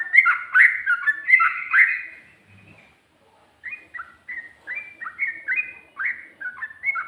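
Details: Sooty-headed bulbul (trucuk) singing in the rapid ropel and ngikluk styles: bubbly, slurred whistled phrases tumbling over one another for two seconds, a short pause, then a quick run of separate rising and falling whistled notes.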